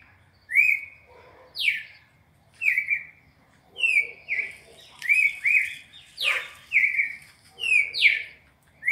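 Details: Red-crested cardinal, captive, singing a classic four-note sequence used to train captive birds: clear whistled notes with sharp downward slurs, phrases repeated roughly once a second over a quiet low hum.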